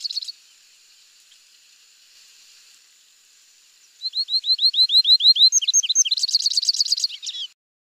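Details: Brief buzzy trill, then near silence for several seconds before a Morelet's seedeater sings a string of rising whistles, falling slurs, and a fast buzzy trill of repeated notes.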